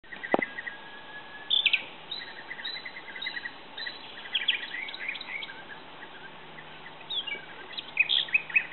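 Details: Mating European Bee-eaters give short, rolling, liquid 'prrip' calls in loose bursts, several birds overlapping, over a soft background hiss.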